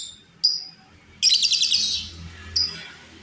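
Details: Wild female lovebird used as a lure, giving a single sharp chirp, then a dense rasping burst of rapid chattering notes, and one more short chirp at the end.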